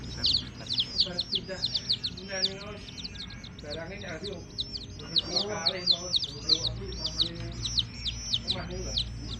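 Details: Many domestic chicks peeping continuously, high down-slurred cheeps crowded together, while human voices talk at a lower pitch in the background.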